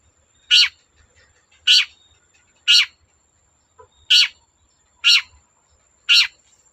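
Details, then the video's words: Long-tailed shrike vocalising to get other shrikes singing: six loud harsh rasping notes given roughly once a second, with quiet pauses between them. "Burung cendet gacor Bikin cendet bahan terpancing ikut gacor"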